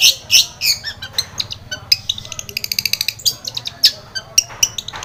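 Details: Long-tailed shrike singing as a prompt for a silent bird: a busy jumble of harsh squawks, quick chattering runs and sharp whistled notes, densely packed throughout.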